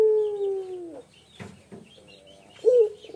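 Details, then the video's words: Male Barbary dove (puter pelung) giving a long, low, smooth coo that sags slightly in pitch, then starting another after a pause; thin chirps from small birds in the background. "PUTER PELUNG JANTAN GACOR SUARA MENYEDIHKAN"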